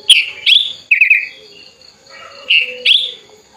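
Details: Tame sooty-headed bulbul reared from a chick, wings spread while calling a rival; two quick bright chirps, a brief stuttering trill, a pause, then two more loud slurred chirps; faint hum in background.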